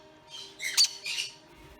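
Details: Baby caique, hand-fed on formula every four hours, gives three harsh, hissing squawks in under two seconds, rasping and high, over a faint steady indoor hum; its parents can be heard in the background.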